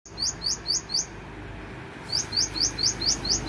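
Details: Cinereous tit from Takengon, Central Aceh, Indonesia, singing its full repertoire: two bursts of high, rising, whistled notes, each bright note repeated about four times per second, with a quiet pause between the bursts.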